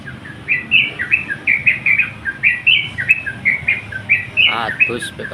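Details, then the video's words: Sooty-headed bulbul calling out to a rival, giving quick bubbly chirps that flick up and down in short bursts, with a man speaking near the end. "crucukan gacor memanggil lawan"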